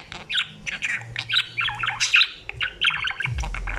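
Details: Budgerigar chatter, lively and continuous: clipped squawky syllables and bright chirps tumbling together, with a low rumble rising at the very end.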